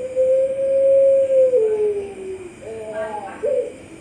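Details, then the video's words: Long level coo from a champion Puter Pelung dove, Sragen online song contest, October 2021, easing downward at the end, then quicker wavering coos and a short accented note. "Puter Pelung Juara"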